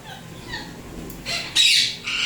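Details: Quick series of coarse, loud shrieks building toward the end from a tame Indian ringneck parrot of turquoise blue or turquoise blue harlequin colouring.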